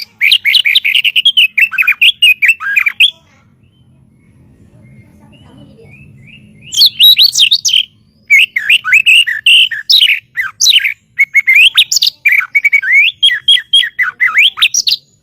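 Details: White-rumped shama master song for teaching caged songbirds: dense chattering and whistled phrases, a pause of several seconds, then long bursts of quick, varied notes and trills.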